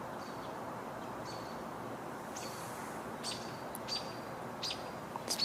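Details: An American robin, calling on 23 June 2021 for no known reason, gives a handful of sharp, high, clipped calls under a second apart, over steady outdoor rumble and a person talking.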